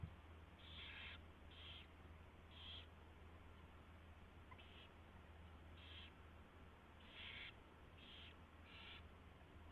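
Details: Owl at its nest before dawn, 24 February 2016, 4:21 AM, during mouse delivery and feeding. Eight or so short scratchy hisses are spaced unevenly across ten seconds, a few doubled, over a low hum and faint static.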